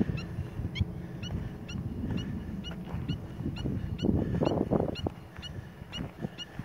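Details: Pied avocet at Wadi Shawqa Dam, Ras Al Khaimah, UAE, on 2 August 2016, gives short, clear, high 'kluit' notes about every half second over a steady low rumble of wind and water.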